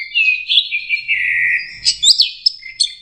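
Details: Orange-headed thrush, young and still learning its song, gives a long sustained warbling whistle that wavers in pitch, broken by sharp high chirps near the end.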